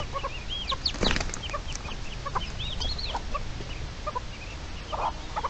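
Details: Red-legged partridge guarding its chicks, 29 May 2023, giving repeated arched, rising-and-falling squeaky notes and short chips in quick succession over a constant low hum, with a brief scuffling noise near the start.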